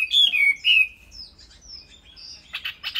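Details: Chinese hwamei in a cage, giving a few loud, clear slurred whistles followed by softer high thin notes and a short burst of rapid chirps at the end.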